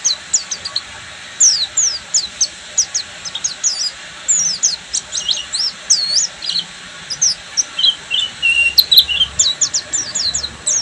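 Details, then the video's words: Oriental white-eye of the buxtomi type singing in full ngeriwik style: a dense run of thin, high, sharply rising and falling chirps and twittered slurs, nearly continuous, with short gaps and a faint low background hum. "SUARA BURUNG‼️PLECI BUXTOMI FULL NGERIWIK"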